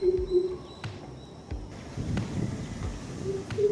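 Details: A Greater coucal (Centropus sinensis) gives deep, hollow hoots in short runs at the start and end, with a quieter gap between, scattered knocks and faint background noise.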